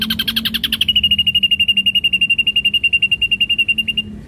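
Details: Ashy drongo in full, lively song, used as a lure recording with rich mimicked content: a burst of harsh, buzzy pulses, then a fast, even trill of sharp, high notes running for about three seconds before stopping.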